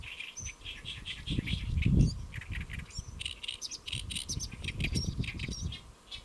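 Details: Great reed warbler singing while perched on a lotus leaf at Saemangeum, Gimje, Jeollabuk-do, South Korea, around midday on 1 July 2024; harsh, grating notes in rapid repeated bursts, over heavy low rumbling wind or handling noise.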